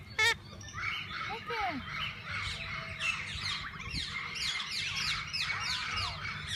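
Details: Several kinds of parakeets in a walk-in aviary at a parrot zoo, where visitors feed and hold them, chatter densely: overlapping high chirps and warbles, a bright squeak near the start, and faint voices beneath.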